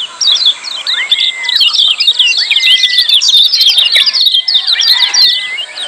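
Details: Lemon-bellied white-eye giving busy, noisy 'ciak' calls, used as training audio to coax silent birds into singing: a dense stream of quick high chirps with drawn-out, level whistles below, plus a faint steady high hiss.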